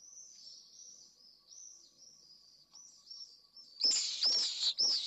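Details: Pallid swifts at a nest site in Jerez de la Frontera, Spain, the pair returning to the nest late in the evening after the female laid her first egg; thin high screams in a long series, then three louder, harsher screams close by at the end.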